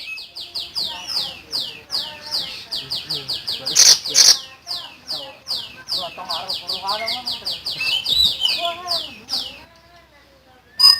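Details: Common iora in full, vigorous song: a rapid, steady run of sharp descending notes, roughly three each second, with two louder accented bursts and faint voices below.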